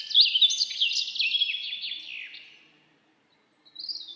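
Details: Forest birdsong: a rapid, high twittering trill that runs for about two and a half seconds and slowly fades, then a silence, then one brief high descending whistle.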